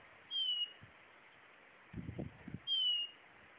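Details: Two high, sweet down-slurred whistles from a Blue-naped chlorophonia, separated by a cluster of soft low knocks.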